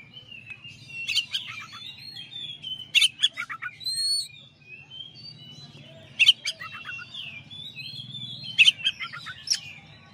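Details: Oriental magpie-robin, a champion bird, in a master song recording: loud bursts of crisp chirps and quick stepped notes every two to three seconds, set against continuous thin warbling whistles and a low background hum.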